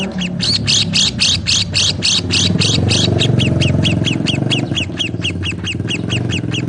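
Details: Lovebirds chirping in a fast, steady series of sharp, bright notes, about three to four per second, over a constant low rumbling hum.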